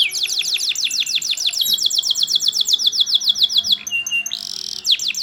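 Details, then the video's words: Canary giving a fast rolling trill of repeated descending notes, then a brief harsh buzzy burst and a new phrase; faint low background hum. "KENARI GACOR NGEROL TAJAM||MASTERAN BURUNG||Kenari Gacorr cengkok NEMBAK."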